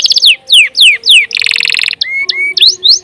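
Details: Canary in full, long-running song, as used for tutoring other songbirds: descending whistled sweeps repeated in quick succession, then a dense buzzy trill, followed by clear rising and falling whistles.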